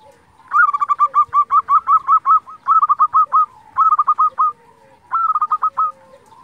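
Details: Local Indonesian zebra dove singing energetically, used as a lure to provoke other zebra doves to answer: four loud phrases of rapid stuttering, trilled coos near one pitch, separated by short pauses, with fainter low coos from other doves behind.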